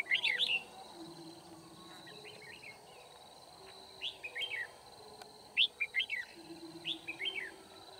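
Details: Red-whiskered bulbul singing during bird trapping in Kim Bôi, Vietnam, on 9 February 2019: short whistled, warbling phrases with quick rising and falling notes, repeated in bursts about every one to two seconds over steady low background hum.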